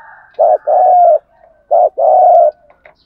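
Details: Spotted dove cooing to lure wild doves, two paired coos each made of a brief note followed by a long steady hollow one, with a faint softer murmur in the background.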